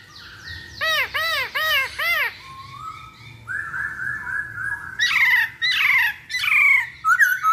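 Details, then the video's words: Masked laughingthrush singing as a lure for other birds. Four loud arched whistled notes, then a soft level warble, then harsh, clipped phrases repeated in quick bursts. "Pancingan Poksay Hongkong Paling Ampuh"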